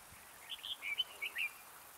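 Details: Red-whiskered bulbul singing as a decoy to draw birds into a trap: one brief phrase of five or six bright, liquid whistled notes, rising and falling.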